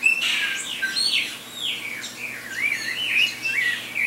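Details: Saffron finch (Sicalis flaveola) singing a run of loud, clear whistled notes that swoop up and down, some wavering and slurred, tightly linked over four seconds.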